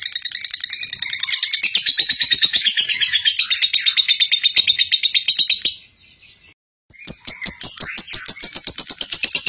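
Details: Lovebird performing konslet song, a continuous chattering style, as a lesson for other lovebirds: dense, rapid high-pitched chirps for about six seconds, a brief silence, then the quick shrill chatter resumes.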